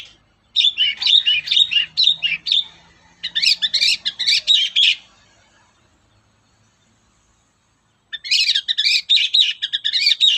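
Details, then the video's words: Long-tailed shrike (cendet) morning song used as a lure for other shrikes: three bouts of fast scratchy chattering notes, separated by a long silent gap before the last bout. "SUARA PANCINGAN BURUNG CENDET GACOR PAGI HARI"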